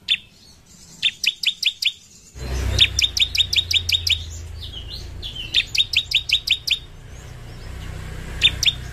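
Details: Sunbird (ciblek) master song prized by songbird keepers for its shrill 'tembakan' shots: repeated quick runs of five to nine sharp high chirps with short gaps, over a low rumbling background.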